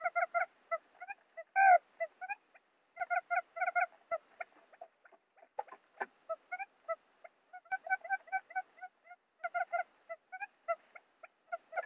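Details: Quail lure call (forest quail): short, nasal, honking notes in quick bursts of three to six, with brief pauses between runs.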